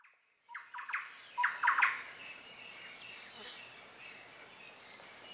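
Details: Lineated woodpecker in the Pantanal, Brazil, gives a quick burst of harsh, ringing notes over about a second and a half, then fainter calls trail off against a soft background hiss.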